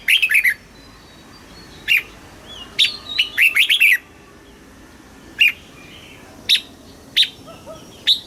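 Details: Red-whiskered bulbul, caged in Thailand, giving southern master-style song used to stimulate birds and teach young: an opening rippling phrase, a longer burst of liquid notes, then single sharp whistled notes spaced about a second apart.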